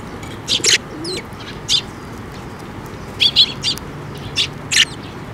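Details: Sparrows flying in for food at a Tenmangu shrine bridge in May 2024 give paired and single high chirps in separate clusters, with quiet gaps and steady background hiss between.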